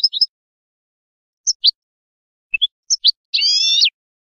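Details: Goldfinch canto limpio for educating novice birds: sparse paired high chirps spaced by short silences, closing with a drawn-out buzzy, harmonic-rich rasp; quiet studio-clean background.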